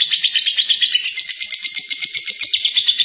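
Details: Contest-winning lovebird in ngekek, its long chattering song, delivered as a dense, rapid stream of high chirps and trills, about three notes per second, pulsing steadily without pause.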